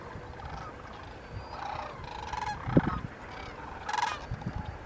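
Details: Sandhill cranes at Isenberg (Woodbridge Ecological) Reserve, California, on a foggy late-October morning give several loud, rolling, trumpeting calls with a rattling, bugled quality, overlapping in bursts, over a steady low rumble of wind or distant traffic.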